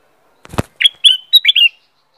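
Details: Black-crested bulbul, known locally as kutilang emas, giving a short phrase of five bright, slightly buzzy notes in quick succession, preceded by a single dull thump.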